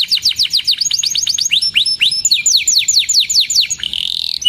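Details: Loud canary song for teaching young birds and stirring silent ones: quick runs of downward-slurred whistles at changing speeds, a short rolling trill, and a thin rising buzz at the end.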